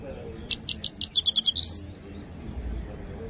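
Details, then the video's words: Himalayan goldfinch gives a clean, powerful phrase: about nine rapid, evenly spaced high ticking notes ending in a rising, buzzy flourish, then quiet. "The best himalayan gold finch clean voice singing"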